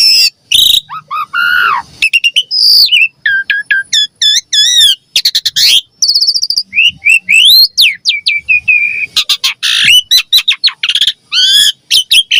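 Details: Javan pied starling singing a full, busy song meant to train young birds and prompt replies: dense sequences of sharp whistles, rapid ringing trills, wavering looped notes and downslurred calls with barely a pause.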